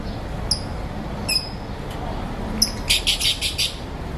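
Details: Aviary lovebirds of assorted colours calling in the morning, with a few isolated squeaky high chirps followed by a fast, rhythmic string of about six harsh, buzzy chatters over a faint low background drone.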